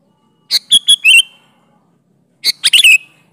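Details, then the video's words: Sooty-headed bulbul, lively natural song for luring bulbuls: two phrases of four quick notes each, bright and slightly buzzy, with sliding whistled endings, separated by a one-second gap. "Variasi Suara burung Kutilang Gacor Full isian Alam di Jamin cocok buat pancingan kutilang"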